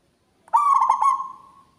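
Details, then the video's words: A single phrase from a local zebra dove, loud and ringing. Quiet at first, then a burst of about five rapid, throaty pulsing coos slides into a sustained trailing note that dies away. "PERKUTUT LOKAL GACOR, SUARA BESAR NYARING SAMPAI KEMANA2"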